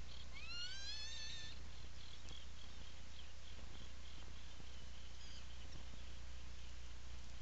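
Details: Atlantic puffin in a nesting burrow at Seal Island National Wildlife Refuge, Maine, 17 July 2018, afternoon, burrow camera: one steeply rising, harmonic wail lasting just over a second, then faint repeated soft notes and a few clicks against continuous low hum.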